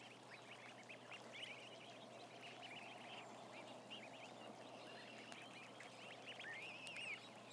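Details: A crowd of about a thousand ducklings on a live camera keeps up continuous high peeping, ending with a clearer long rising-and-falling whistle near seven seconds.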